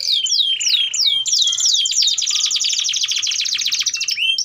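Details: Continuous canary song used to teach young birds to sing: several downslurred whistles repeated about three times a second, then a fast rattling trill and high rolls running on without a break.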